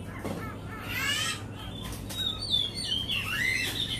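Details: White-rumped shama of Cat Tien singing versus a recording: a rough buzzy note followed by pure whistled phrases that rise and fall, ending in sweeping slurred whistles.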